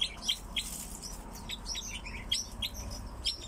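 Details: Captive crossbills give quick, bright chirping notes, singly and in clusters of two or three, about every half second, with faint low hum behind.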